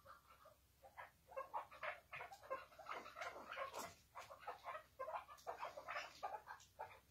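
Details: Chukar partridge calling in the hıngırma style: busy, irregular runs of rough clucking notes that overlap and crowd together, some sharper and higher, ending in a looser series of chucks.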